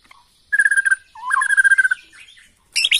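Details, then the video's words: Borneo White-rumped shama lure song to trigger a quick response: a steady whistled note, then a long wavering rising whistle, closing with a sudden high burst. "PANCINGAN MURAI BORNEO EMOSI..!! HITUNGAN DETIK LANGSUNG NYAUT"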